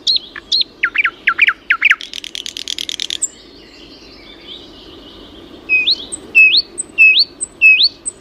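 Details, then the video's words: Birds singing: sharp whistled notes with rising upsweeps in a quick series, a brief buzzy trill near the middle, then a run of four or five upward-slurred whistles repeated about every half second over a low steady hum. "пение птиц"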